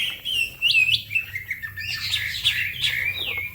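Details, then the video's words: Green leafbird (cucak ijo), fast song meant for training other songbirds; bright, fluty whistles with upward and downward slides run together, quieter chirps between phrases. "The green cucak bird makes noise, other birds also become gacor"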